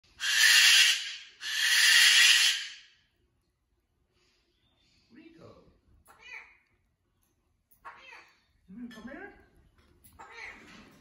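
A cockatoo gives two long, harsh, ear-splitting screams in quick succession, followed by softer chatter and a person speaking quietly.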